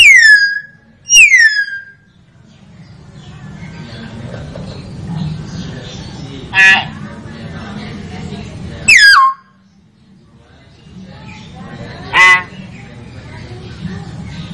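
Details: Common hill myna (Gracula religiosa) giving piercing, down-slurred whistles and a few harsh, nasal squawks at irregular intervals, with a low murmur of background noise. Common hill myna.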